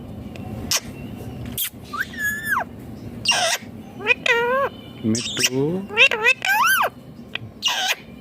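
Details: Indian ringneck parakeet, a green pet parrot, talking clearly: bursts of speech-like syllables with bending, whistled tones, loud and irregular, separated by short pauses, with some music and human voice around.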